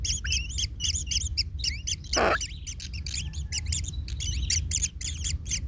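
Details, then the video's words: Young kingfishers calling in the nest as a parent steps on a chick and hurts it: dense overlapping high twittering chirps, with one loud harsh rasp about a third of the way in and a steady low hum beneath. "Anak Tengkek Terinjak Induknya Hingga Kesakitan - Baby Kingfisher bird nest"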